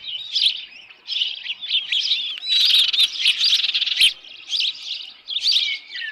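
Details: At a Dunrovin Ranch nest on the evening of 10 June 2018, an osprey with a headless fish gives rapid, high, squealing chirps. The chirps come in busy bursts, some slurred downward, with one sharp knock midway.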